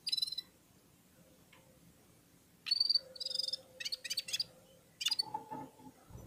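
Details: Red-fronted serins warming up and singing in unison among other birds: short bursts of bright, high tinkling trills separated by pauses, with a steady low hum underneath.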